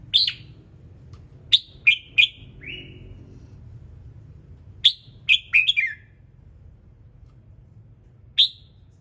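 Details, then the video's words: Red-whiskered bulbul singing in the morning to set other birds singing: clusters of sharp, bright chirps and a short descending whistle, a rapid run of four or five notes near six seconds, then a single final chirp. "Chào Mào Hót Sáng Nhiều Âm Hay | KÍCH CHIM HÓT THEO LIỀN"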